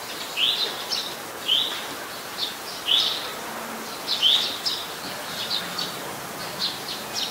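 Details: Eurasian tree sparrow recorded on 10 May 2020 in Ubon Ratchathani, Thailand, a very common resident there: repeated high, slightly rising chirps about every second, with fainter chirping behind.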